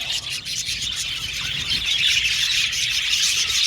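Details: Budgerigar contact chirping, quick repeated high twitters and warbles blending into a steady chatter that grows a little louder toward the end.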